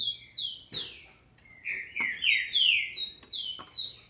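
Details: Captive female green-winged saltator, Brazil, singing to excite males: loud falling whistles in a fast series, some paired and overlapping, with a brief lull near the start of the run.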